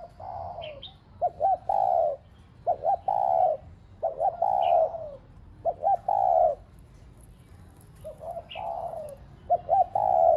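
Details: Cooing spotted dove played to rouse other pet doves: repeated low phrases of two or three quick notes followed by a sustained mellow coo, with brief high chirps from another bird.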